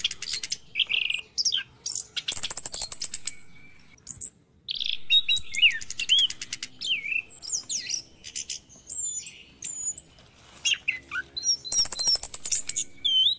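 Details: Long morning song bout of an orange-headed thrush, used to stimulate stressed caged birds to sing: mixed whistled slurs, chirps and two dense rattling trills, with short pauses between phrases.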